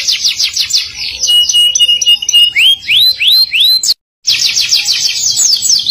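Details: Canary in energetic, loud singing with a fast trill, a sustained whistle and three or four sharp upward sweeps, then a short gap before another rapid rolling trill.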